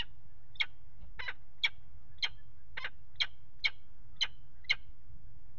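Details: Peregrine falcon pair mating on the ledge of a nest box, water tower in Axel, Netherlands, winter 2018: nine rasping calls in a fairly even series, about two per second, with a low droning background.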